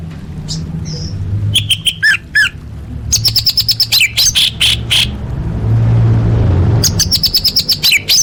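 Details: Orange-headed thrush song used as training material for competition birds, varied and full of mimicked phrases: rapid sharp whistles and chirps in bursts, descending slurred notes, dense clusters of high trills, with a low steady hum underneath.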